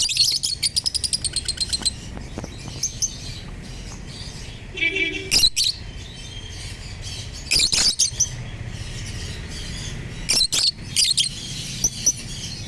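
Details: Violet Fischer's lovebirds, captive birds at a breeding farm; shrill, high chirps in quick bursts, a rapid chattering run at the start and scattered sharp squeaks later, with a brief tonal hum midway and low background rumble.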